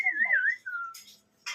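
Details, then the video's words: Parrot whistling: a clear, high whistle that wavers down and up, then a lower sliding note, followed by short harsh noisy bursts. "mithu whistling"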